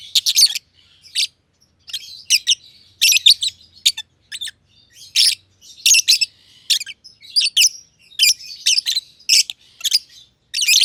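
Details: Green personata and green pied personata lovebirds, companions in an aviary, keep up prolonged chirping: sharp, high, rasping notes in irregular groups across the whole stretch.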